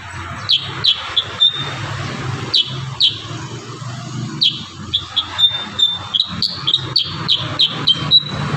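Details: Kurincang singing a dense 'tembakan rapat' (close-fire) song: sharp, high, downslurred chip notes in quick bursts, with some notes drawn into brief whistled trills, over a low background hum.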